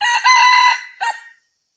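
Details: A red junglefowl crows, recorded 6/2/2020. The crow is already underway, holds a loud, buzzy, sustained note, fades, and then ends with a short abrupt final syllable. No other animals or noise are heard.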